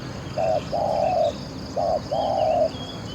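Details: Decoy spotted dove with a voice described as very good, heard during an outing to lure wild doves. Two rounded phrases each open with a brief coo and end in a longer, even, humming coo. Faint high bird notes sound behind it.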